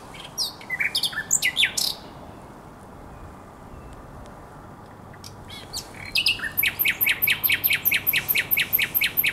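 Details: Nightingale song at Żerań Canal, 23/24 April 2022: a cluster of high sweeping notes, a silent gap, then a long steady series of about fifteen loud, evenly spaced chopping notes.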